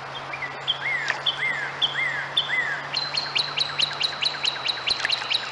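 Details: Two red-headed woodpeckers calling: a series of downslurred, slightly harsh notes repeated about every half second, then a rapid run of sharp, high repeated chatter notes, over steady low background hum.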